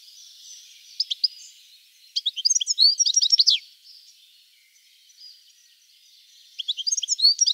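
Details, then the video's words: European goldfinch singing: bursts of quick, varied, tinkling high twitters and sharp chirps, with a long burst in the middle and another near the end, separated by quiet pauses. "Пение щегла"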